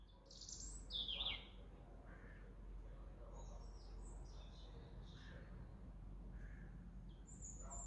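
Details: On 5 November 2023, a small European robin atop a pine tree sings high, thin, liquid phrases that tumble and shift in pitch, loudest near the start, over a steady low rumble of background noise.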